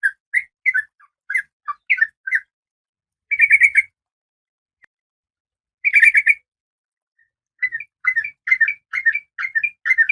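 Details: Female oriental magpie-robin in breeding condition, calling to the male. Scattered short slurred chirps give way to two dense buzzy rattling bursts. A quiet pause follows, then a brisk string of chirped notes.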